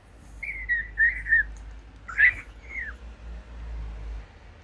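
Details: Young captive African grey parrot chick making funny sounds: a few clear mid-pitched whistles, the first ones drawn out and wavering, then a sharp upslurred note and a short falling whistle, over a steady low hum.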